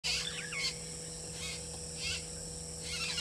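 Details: Woodland kingfisher on a fallen tree at Gowrie dam waterhole, Djuma Game Reserve, Sabi Sand, South Africa, 18:39 on 19 November 2022, giving short, high bursts with a quick downward-sliding trill, repeated several times, over a steady hum.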